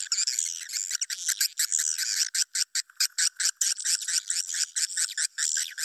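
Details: Swiftlets in a good-quality roosting lure sound, a dense, pulsing, rasping chatter with rapid clicks in steady bursts throughout.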